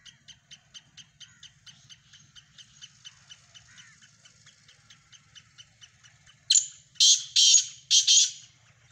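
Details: Black francolin (kala teetar) phrase of harsh, grating notes bursting in after a run of steady, rhythmic soft ticking chirps from another source; a low hum runs underneath.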